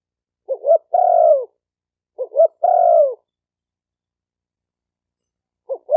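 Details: Spotted dove call for stimulating males and females: two phrases, each a brief stuttering double note leading into a longer, downward-curving coo, then quiet until another double note begins at the end.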